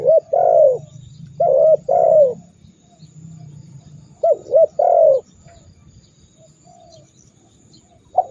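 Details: Spotted dove training call meant to set rival birds cooing: two mellow three-note phrases with a drawn-out falling middle note, separated by a quiet stretch, and a single note at the end.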